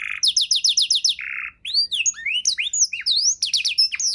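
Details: Canary 'isian' song recorded for teaching songbirds: a quick series of repeated high descending notes, a short buzzy roll, then scattered upswept and downswept whistles in lively succession.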